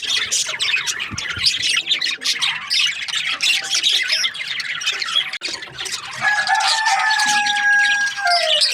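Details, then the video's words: Breeding-season budgerigars, a crowded mix of rapid chirps and squawks, joined in the second half by longer, clearer whistled tones sliding slightly downward over the chatter. "Happy budgies chirping sounds | breeding season"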